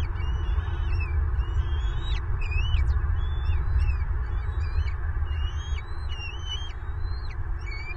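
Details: Angry adult bald eagle feeding eaglets in a wild nest, Southwest Florida, February 25, 2023. High chittering whistles, rapid thin notes and upward slurs, repeated in quick bursts, set against a continuous deep rumbling background.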